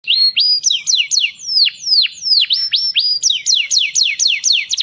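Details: Canary singing, used to teach young birds: loud, clear phrases of slurred whistles sweeping down and up, followed by a quickening series of steep descending notes, repeated about every quarter second, with a quiet background.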